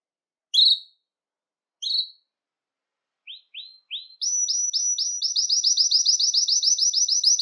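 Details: Belgian canary song meant to stimulate males and bring females into breeding condition: two high whistled notes, three short rising chirps, then a fast, steady trill of rapidly repeated bright notes running to the end.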